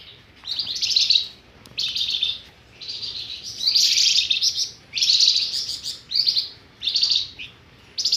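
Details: Trapping lure call of the flamboyan bird, a steady run of high, buzzy chirped bursts about one per second, each a dense shimmering twitter, with brief pauses between them and no other sounds.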